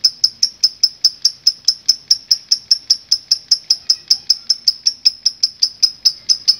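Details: Lovebird in full voice delivering a long ngekek song, used as a training recording for other lovebirds: sharp, high chattering notes repeated evenly about four times a second, steady throughout with no other sounds.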